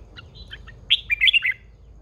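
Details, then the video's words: Red-whiskered bulbul in a cage, said to be a mature wild female egging on a male, gives a few soft lead-in notes, then a loud, fast, bubbling phrase of bright whistled chirps. "Chào mào MÁI THÚC TRỐNG căng lửa"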